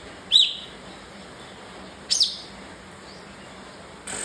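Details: Bar-winged prinia calling with two sharp, high, flicked chirps about two seconds apart, the second sweeping higher; a burst of broad rustling noise comes in at the very end.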